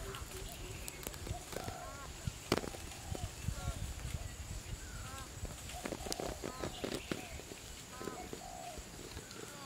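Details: Afternoon gathering of around 70 Green peafowl at a viewing site in Chun district, Phayao, Thailand, during the November–March counting season: scattered nasal, harmonic calls from several birds, with people talking and steady low background rumble.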